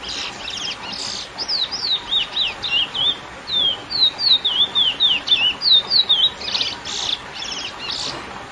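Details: Lesser seed finch singing the classic curió song to excite females: long sequence of clear whistled swoops, down-up slurs repeated several per second, with a few buzzier rasping notes near the start and end.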